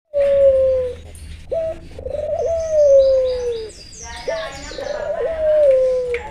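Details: Albino Barbary dove (puter) cooing: a short hooked note, then long smooth drawn-out coos that slowly fall in pitch, repeated twice, with faint high chirps of other small birds in the background.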